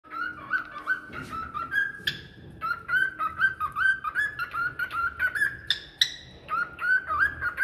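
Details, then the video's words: Parrot whistling a continuous run of short, clear tonal notes, mostly level with slight upward slides, a few higher bright notes near the end, sung in a quick steady rhythm. "Parrot whistling"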